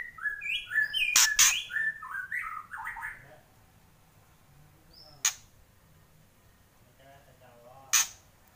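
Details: White-rumped shama singing in the kretekan style: a quick run of short whistled notes stepping up and down for about three seconds. A hush follows, broken by two sharp clicks and a faint, soft warble.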